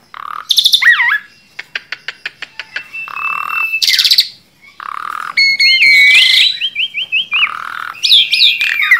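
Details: A tame Asian pied starling sings with looping whistles, a fast series of dry ticking clicks, harsh bursts, and a stuttering run of repeated buzzy notes that step up and down.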